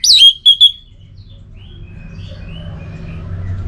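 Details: Orange-headed thrush from Singaraja, North Bali, used to coax quiet birds into singing: a brief burst of loud, clear whistled notes, a rising-falling slur, then two short bright phrases, fading to low background hum.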